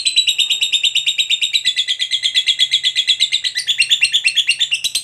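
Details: Long ngekek chatter from a lovebird in full song, used to spur other lovebirds to reply: an unbroken, rapid, shrill rattle of pulsed notes, about three pulses a second, that turns more jumbled and higher toward the end.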